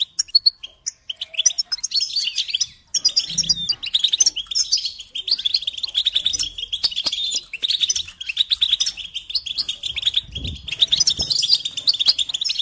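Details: Goldfinch song used as a training tape for teaching chicks and songbirds: fast, dense twittering with rapid chirps and liquid trills held high, nearly continuous with brief pauses, a few low thumps in the background.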